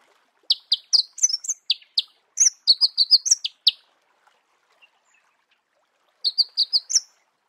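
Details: Marico sunbird song in natural habitat: bursts of rapid high chipping notes, around fifteen in three seconds, a pause of over two seconds, then a shorter run of five chips.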